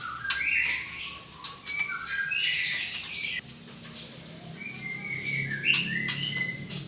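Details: White-rumped shama with a drooping tail singing a varied run of clear whistled phrases, some flat and some sliding, alternating low and high notes with short buzzy bursts, in quick irregular succession over a faint low hum.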